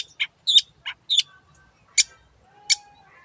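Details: A long-tailed shrike, known locally as cendet, gives scattered sharp, high chips and short squeaky notes, spaced by brief silences, with one faint thin whistle running underneath.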